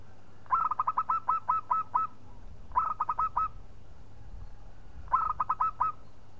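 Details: Local Indonesian zebra dove song aimed at provoking a rival: three separate phrases of quick staccato cooing notes, each a rattling string of seven or eight soft whistled coos.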